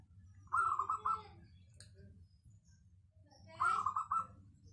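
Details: Local zebra dove with a clear, dense voice, used as a lure for other doves. Two cooing phrases of quick, bubbly, staccato notes, about a second each and three seconds apart, over a low steady hum.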